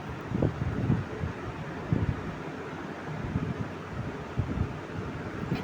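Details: Wind buffets the microphone over a steady low rumble, with no animal voice heard.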